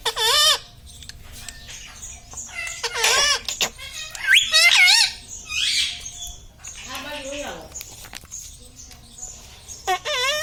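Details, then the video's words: Pet parrot saying 'mummy', 'papa' and 'radhe radhe'. Its nasal, wavering utterances alternate with quieter passages in which softer speech-like sounds are heard in the room. "Talking mummy papa|| mummy vala parrot || mithu bolo radhe radhe"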